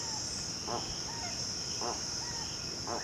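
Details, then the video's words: Slow grunting song of a Spix's guan in the Amazon region near lakes and rivers: three gruff, pulsed notes roughly a second apart, with soft short whistles between them and a strong high insect chorus throughout. "Jacumirim Efeito Sonoro/Canto"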